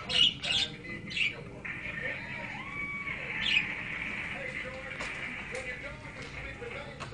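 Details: Parakeets playing in a tank cage chatter with sharp chirps and short squawks, plus a steady warbling murmur underneath; faint voices and room noise in the background.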